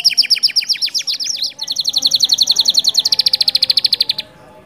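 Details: Canary song used to stimulate other canaries to sing: quick sweeping descending notes, followed by two long rolled trills of rapidly repeated high notes, then quiet.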